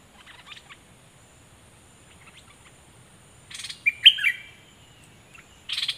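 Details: Captive Cream-vented bulbul used as a decoy bird, 11 July 2021, giving a few short bubbly, slurred whistled phrases around the middle pitch range, with brief scratchy notes before and after and a faint high hiss throughout.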